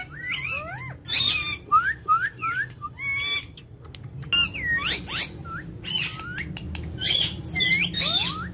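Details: Indian ringneck parakeet giving natural sounds: quick sequences of clear rising whistles and sharp upslurred chirps mixed with harsh squawks, delivered in irregular clusters across eight seconds, faint low rumble underneath.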